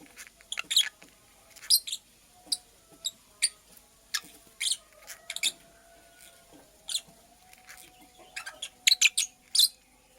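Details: Female purple lovebird building a nest, chirping steadily with brief shrill squeaky notes about every half second to second, some in quick pairs, over a faint low hum.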